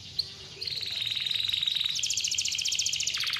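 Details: Clear canary song for encouraging young or quiet canaries: after a single click, a high, even, rapid trill runs on, turning buzzier and broader in its second half.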